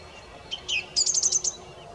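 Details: Song thrush in song: a brief phrase of a couple of whistled notes followed by a rapid series of five or six high, thin repeated notes.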